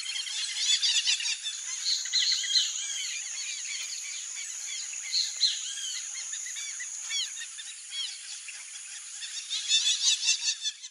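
A flock of Brazilian teal gives a dense chatter of thin, high whistled chirps, busiest at the start and end, over a steady insect hiss.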